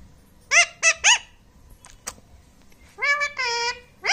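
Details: Talking parrot in a room calling three quick harmonic notes, a pause with faint clicks, then two longer voice-like utterances, the last held steadily.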